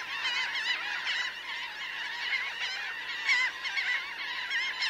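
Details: Somewhat more distant-sounding babble of a roughly 1000-bird Laughing gull flock on the ground and in flight: continuous overlapping wavering calls, with a few clearer, louder cries near the three-second mark.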